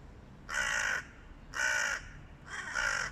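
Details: A flock of hooded crows fighting a stray cat: three harsh, raspy caws, each about half a second long, spaced roughly one second apart, over a faint low background rumble.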